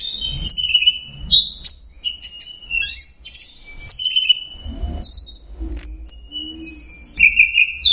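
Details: Varied teler song from an orange-headed thrush: whistled phrases jumping between low and very high pitches, with trills and sharp notes in quick succession and faint low knocks.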